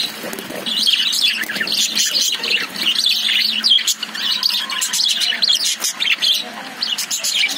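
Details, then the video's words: Group of caged lovebirds chirping: after a quieter first second, a steady din of sharp squeaky notes and rasping squawks fills the rest. "Love birds sound"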